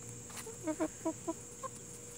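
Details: Plymouth Rock and Hamburg chickens: four clear harmonic clucks spaced about a quarter second apart, then a softer higher note, over a faint continuous hum.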